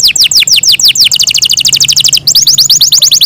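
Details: Loud, melodious song of a pet Yorkshire canary: quick, repeated, falling whistled notes that tighten into a fast rattling trill, pause briefly, then resume as a steady series of crisp high sweeps.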